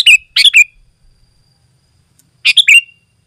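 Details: Sooty-headed bulbul, recorded as a lure and tutor, giving two quick bubbly phrases with falling whistled tails, a two-second gap, then one more identical phrase.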